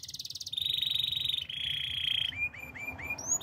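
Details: Canary singing a quick high trill, then two sustained buzzing rolls at slightly different pitches, ending in repeated short upslurred whistles.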